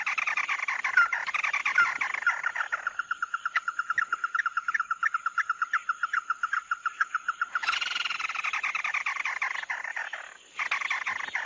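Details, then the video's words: Mắt đỏ bird on a lure recording: harsh chatter, then a long, even run of quick repeated notes lasting about five seconds, then another loud, rough chattering burst, with brief pauses. "Tiếng chim Mắt Đỏ"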